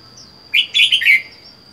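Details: Caged wild-caught Red-whiskered bulbul, kept alone, four months in the cage, gives a short loud warbled phrase of three or four quick slurred notes over a steady high thin whine.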